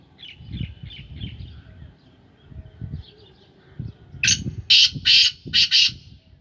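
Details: Kept black francolin, a Sindhi Gangas strain bird in its third calling season, delivers five rasping, grating bursts in quick succession, preceded by faint thin chirps from other birds and low rumbling noise.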